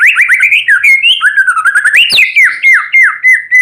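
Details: Loud morning song of a white-rumped shama set out in the sun, meant to stir silent shamas into song: fluid whistled phrases, falling slurs and quick repeated notes in a continuous stream.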